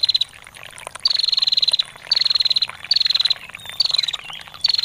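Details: Female bar-winged prinia calling in the chattering 'ngetir' style: five quick, high-pitched trills, each about half a second to a second, coming at regular intervals against a constant murmur of running water.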